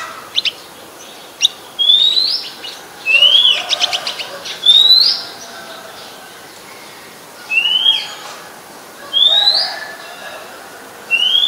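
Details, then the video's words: Very common resident Oriental magpie-robin singing in Ubon Ratchathani, Thailand, 17 July 2021: a series of loud, clear upslurred whistles every one to two seconds, mixed with short sharp clicks and rapid chattering notes. "นกกางเขนบ้าน Oriental Magpie Robin (singing)"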